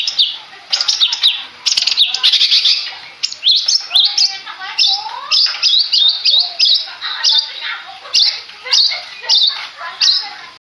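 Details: Madura long-tailed shrike contest bird giving loud rhythmic bursts of harsh scratchy chattering notes, repeated roughly twice per second with short breaks.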